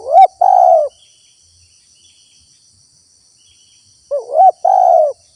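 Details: Spotted dove calling, a recording used as a lure to draw wild doves and prompt them to call. Two low cooing phrases, each a short wavering rising note and then a longer steady falling coo, about four seconds apart. A constant high insect drone runs behind.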